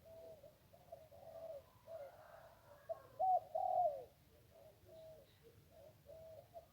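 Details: Zebra dove by the Ping River, Thailand, singing in the 1-kuk style, heard during decoy trapping: short rippling mid-pitched coos, about two per second, swelling into louder, bending notes before fading again.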